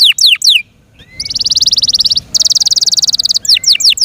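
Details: Yorkshire canary singing: quick descending whistles, a short pause, two long fast pulsing trills, then more falling whistled notes.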